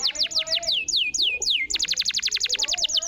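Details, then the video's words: Canary song used as a lure to coax a silent canary back into singing: clear whistled notes sliding steeply downward, about five a second, then a fast, even trill of short sharp notes. "SUARA BURUNG ,PANCINGAN KENARI MACET‼️ GACOR"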